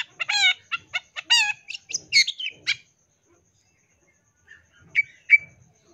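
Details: Long-tailed shrike song loaded with fill-ins: a fast run of stacked, ringing notes sliding downward, then scratchy chatters, followed by near-silence broken by two brief squeaky notes.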